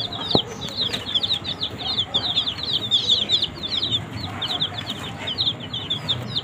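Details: Baby chicks eating green leaves, a brood of young desi chickens kept under heat, give constant high, short downward peeps that overlap in a busy chorus, with a faint low rumble underneath.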